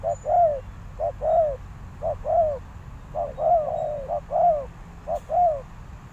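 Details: Spotted dove kept as a decoy to call in wild doves, cooing in a regular rhythm of short note plus longer arched note, with one phrase running into a brief extra trill, and a small click near the end.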